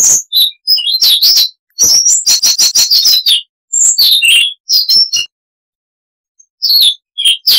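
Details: Siberian rubythroat singing a long, varied song. Quick high chirps lead into a rapid evenly spaced rattle of notes, then more scattered whistled phrases, with a silent stretch before the song resumes.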